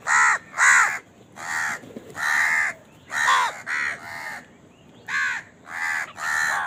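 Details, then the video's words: Eating crows competing over food fill the air with about eleven coarse, nasal caws in quick succession, some paired, with barely a gap between them. "Crow Bird Eating Scenes and Crowing Sound"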